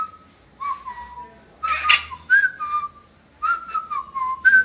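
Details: Captive parrot known for whistling tunes, including a movie marching song, produces level and slightly falling whistled notes in a short phrase, broken by a loud broadband burst midway.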